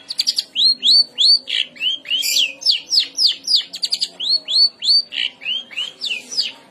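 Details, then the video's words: Long-tailed shrike, used to prompt other shrikes to answer and sing: rapid run of clear, downslurred whistled notes mixed with sharp chips, delivered nearly continuously over a faint low background hum. "Cendet Manapun Pasti Ikut Nyaut Dan Gacor,Masteran Cendet stres pasti ikut bunyi"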